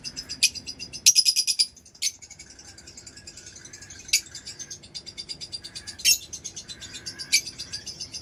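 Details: Lovebird chatter of fast, pulsed high notes, interrupted repeatedly by loud, harsh squawks, some coming in quick clusters.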